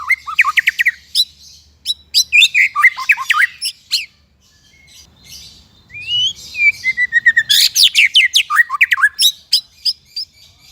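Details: White-rumped shama (Copsychus malabaricus), song.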